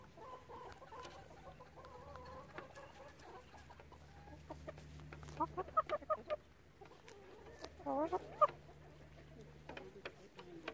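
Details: Calm chickens with crows edited out: a drawn-out murmuring note, then clusters of sharp short clucks near six and eight seconds over a faint hum.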